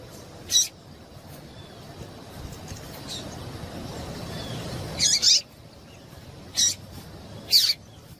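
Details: Female yellow-bellied seedeater calling to stir up and stimulate males: four brief, sharp, high chips spaced irregularly, one early and three close together near the end, over a steady low background hiss.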